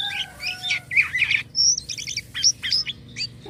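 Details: Jalak kapas starling singing actively with unusual sounds: a jumble of short chirps, whistled notes and a rapid rattled phrase, mostly high-pitched and varied, with a faint low hum underneath.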